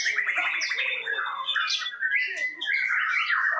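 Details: Loud contest song of a White-rumped shama from Tasikmalaya at an Indonesian murai batu competition arena: a rapid rattling trill that opens into sweeping whistled notes and rising slurs, with fainter birdsong in the background.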